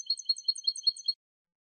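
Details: Short phrase of European goldfinch cante from a new CD: about a second of rapid, evenly spaced tinkling notes with a thin ringing tone, then silence.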